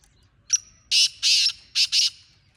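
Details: Wild black francolin calling once, clear and near: a sharp short note, then two broad raspy notes and a closing double note, with little background noise.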